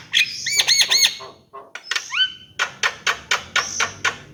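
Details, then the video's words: Javan myna opening with quick looping whistled notes, then a pair of rising whistles, followed by a steady series of dry, sharp clicks about every quarter second. "Kicau jalak kebo"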